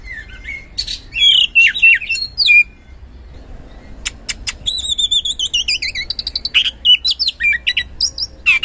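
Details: Oriental magpie-robin singing as a lure for silent kacer: slurred whistles and chips, a brief pause, then a long fast series of descending repeated whistled notes with sharp clicks.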